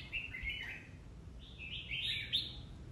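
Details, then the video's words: Red-whiskered bulbul, a mature wild-caught bird, in a competitive singing bout in the bọng style. Two soft, slurred warbling phrases sit over steady low background rumble. "Chào mào hót đấu bọng chuẩn già rừng"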